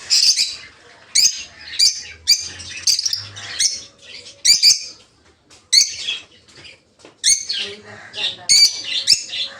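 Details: Peach-faced lovebirds, colour mutations red-headed green opaline, red-faced dark green, blue rosy and lutino, kept in a breeding aviary, give harsh high shrieking chirps in rapid bursts with short pauses between.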